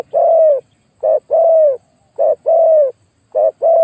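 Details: Decoy spotted dove with a very big voice, calling to lure wild doves: low, hollow coos in pairs, a brief note then a drawn-out coo, repeated about once a second.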